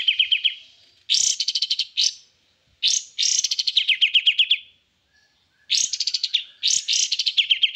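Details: White-eye, known locally as kapas tembak, singing energetically: bursts of high, fast, twittering trills and buzzy chattering phrases, each lasting about a second, separated by short pauses. No other sounds are heard.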